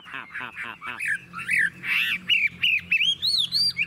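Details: Caged Chinese hwamei in Vietnam, described as having a long song with an unmistakable wild forest voice. Opens with harsh, squawky buzzy notes, then shifts into loud rising and falling whistled phrases.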